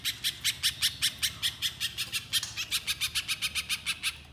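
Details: Little spiderhunter, a lure recording: a long series of loud, squeaky, high chip notes repeated about two to three times a second at an even pace, with faint low hum underneath.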